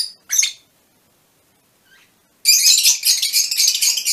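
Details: Mutation Fischer's lovebirds produce a shrill squeak and a faint note, then after a pause break into continuous harsh, scratchy chattering that fills the final seconds.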